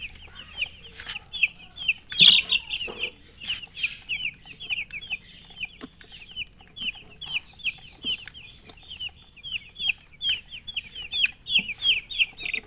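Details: Several chicks peeping, short high chirps repeated rapidly in an overlapping chorus, with a few louder peeps and occasional dull knocks and rustles.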